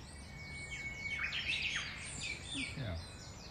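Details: Warbling song of an Australian magpie from a family rearing young, with gliding, overlapping whistled notes and quick downward slurs, a steady thin tone beneath, and a soft rural background hum.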